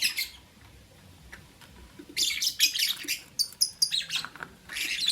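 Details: Morning chirping of pet lovebirds, albino and Euwing green opaline: after a short burst and a near-quiet pause, a dense stretch of shrill, buzzy high chirps and squeaks runs almost continuously, with another burst at the end.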